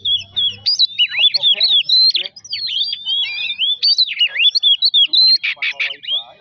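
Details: Oriental magpie-robin song meant to provoke other birds into singing: a fast, continuous stream of sharp whistled notes rising and falling, ending in a few rapid harsh chattering bursts.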